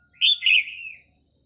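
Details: A single Red-whiskered Bulbul phrase during morning trapping with a decoy: a loud, warbling two-part note that trails off into a softer, falling slur, set against a continuous high-pitched drone.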